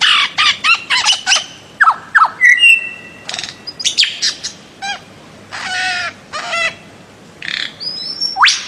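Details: Bird-of-paradise giving mixed calls: rapid clicks, short harsh squawks, a few sustained whistles and a final sharp upward note, with irregular pauses.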